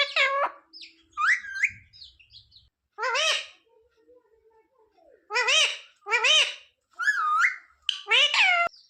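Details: Pet parrot mimicking words, asking for roti; harmonic, speech-like syllables in bursts with rising and falling pitch, separated by short pauses, in a quiet indoor setting.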